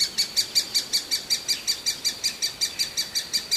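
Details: Great spotted woodpecker chick, ever hungry, repeats loud, shrill, high chirps in a tight rhythm of almost three per second with little else audible.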